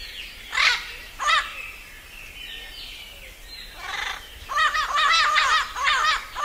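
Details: Dusk calling by a parrot: two separated harsh squawks, a pause with faint chatter, then a dense burst of rapid, overlapping arched squawks toward the end, loud and grating against a quiet evening backdrop.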